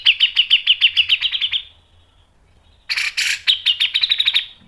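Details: Grey-cheeked bulbul in vigorous song in the styles called mbeset, ngepik and nembak: a long fast trill of bright, clipped repeated notes, a quiet gap, then a harsh burst leading into another rolling trill.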